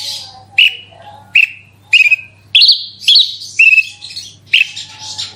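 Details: Horsfield's bush lark giving a vigorous 'roll tembak' song meant to prompt other larks to sing: sharp chirps and short whistled slurs in spaced bursts, some notes rising, a steady low hum beneath.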